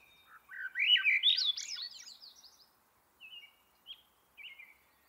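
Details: Swainson's thrush (Catharus ustulatus) sings one flutey, spiraling phrase that climbs steadily upward over about two seconds, followed by a few soft, thin whistled notes.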